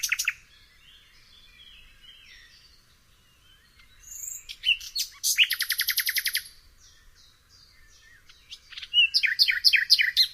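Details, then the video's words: Nightingale singing varied phrases: an opening burst, soft warbling, then a rapid series of even, pulsed notes repeated about a dozen times, a pause, and a final fast rattling phrase. "SOOTHING SOUND OF THE Nightingale"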